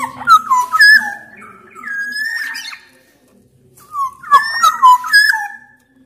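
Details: Sumbawa black-naped oriole in energetic song, played to make other orioles sing: mellow whistled notes sweeping down and up, a sustained fluty tone, a brief pause, then a busier burst of liquid phrases.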